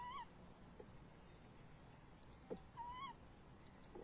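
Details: At a camera-watched nest box late on a May evening in 2015, tawny owls call at length outside; a short bent cry opens, then a longer wavering, level-then-falling call comes about three seconds later, with faint clicks and hiss.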